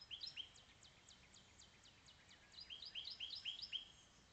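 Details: House finch song: a lively warble of slurred, rising and falling whistled notes, with faint rapid ticking early on, then louder jumbled phrases building toward the end.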